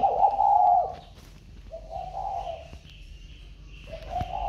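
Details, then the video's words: Spotted dove kept in a box after being bought, calling as usual: three low, throaty coo notes spaced out over a few seconds, with faint high bird chirps in the background. "khách mua xong chim cho vào hộp vẫn trơi như thường"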